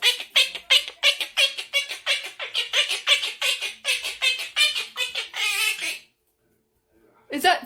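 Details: A male pet Quaker (monk) parakeet, frightened indoors by an unfamiliar object such as a guitar, gives a rapid run of harsh, rasping fear squawks, about three each second.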